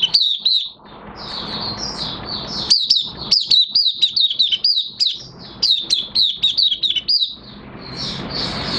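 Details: Oriental white-eye (mata puteh) in minor moult, singing openly, recorded 3 June 2022: rapid, high, thin chirping notes with sliding twitters, delivered in quick bursts about four per second, separated by short pauses.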